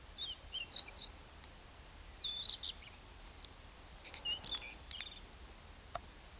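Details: A Rufous-tailed scrub robin gives three short bursts of high, clear chirps and quick whistled notes, spaced by pauses of about a second, over steady background hiss. Recorded in June 2010 in the Comunidad Valenciana, Spain.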